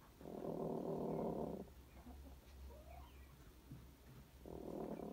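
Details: Hens growling like dogs as they fight over room in their cage: two sustained low buzzing rumbles, one over a second long, separated by near silence.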